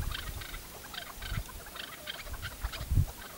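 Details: Chukar partridge tied as a tethered decoy during a partridge hunt, giving short clucking notes repeated roughly every third of a second, over low thumping and rustling handling noise.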